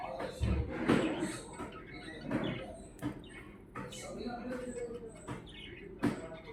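Budgerigars chatter in quick, scratchy bursts of chirps and warbles, with soft background thumps.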